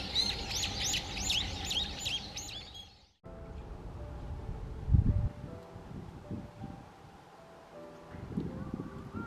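White-cheeked Starlings give a quick run of harsh, squeaky chattering notes for about three seconds, then a cut to low rumbling background noise.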